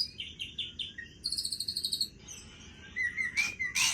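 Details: White-rumped shama of the Aceh type, singing at full voice and pouring out its repertoire of borrowed phrases: descending whistled notes, a rapid buzzy high trill, then sliding whistles and sharp bursts.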